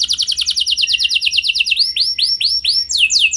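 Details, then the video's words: Canary lure song for setting off other canaries: a crisp rapid series of short descending notes about eight per second, giving way to slower, fuller arched whistles. "Langsung Nyaut Gacor Dor Kenari Mana Saja Dengan Pancingan Kenari Lagu Mewah Ini"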